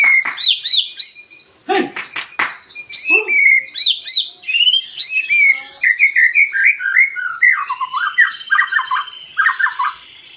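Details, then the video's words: White-rumped shama song played to stir other birds into singing: lively loud phrases of rapid chips and whistles, some harsh broadband notes, and a run of swooping looped notes toward the end. "Pancingan murai batu 🔥 Naikan emosi burung auto ikut gacor"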